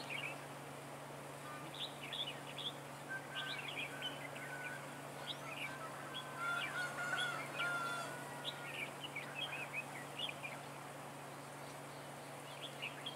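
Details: Red-whiskered bulbuls during trapping of wild birds with a decoy, recorded 15 March 2018. Busy bursts of chirpy, warbled notes with some clear level whistles in the middle, quiet talk nearby and a low steady hum.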